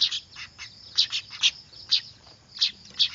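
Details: Noisy weaver (manyar) chicks, used as a lure for catching birds: sharp, high chirps come in paired bursts roughly every half second, over a faint steady high-pitched hum.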